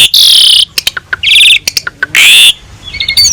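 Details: Vigorously singing jalak suren, or Asian pied starling, recorded as a master for teaching other birds: loud harsh buzzy notes alternate with sharp clicks, short whistles and a long grating burst.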